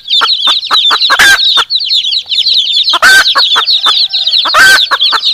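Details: Hen and chicks exchanging calls. High, busy peeping runs throughout, with rhythmic soft clucks and three loud, harsh clucks spaced a couple of seconds apart.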